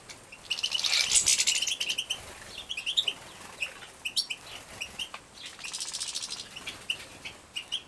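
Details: Young European goldfinches bred in captivity in Poland, 2017, at feeding: a loud buzzy begging burst, then spaced high chirps and a second softer buzzy bout.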